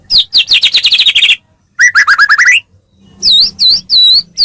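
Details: White-rumped shama training song to get other shamas singing: a fast descending run of chirps, a rising trill of quick whistled notes, then three loud arched high whistles.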